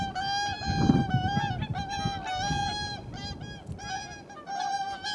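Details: Two whooper swans of a pair answering one another, perhaps as a greeting, on 13 January 2021; bugling nasal honks tumble over each other in rapid, uneven series against a low rumble.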